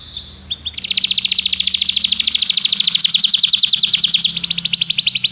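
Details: Belgian canary singing training song: after a short buzzy opening, a long rapid trill of rising notes repeated about three times per second, steady and high, with faint low hum underneath.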